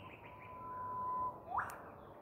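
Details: Eastern whipbird from Queensland, Australia, giving a long, steady whistled note that swells for over a second, then snaps into a loud, rising whip-crack. Soft chirps come just before.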